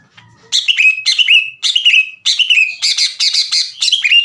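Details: Fierce song of a greater green leafbird challenging rivals to fight, delivered loud and strong with harsh bursts. After a quiet start, emphatic downslurred whistled phrases come in rhythmic groups, about two per second.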